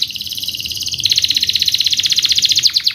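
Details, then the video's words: Young canaries' training song, a rapid high trill that grows louder and faster after one second, with notes pulsing several times per second. "Canary singing video - Canary's most powerfull song for training"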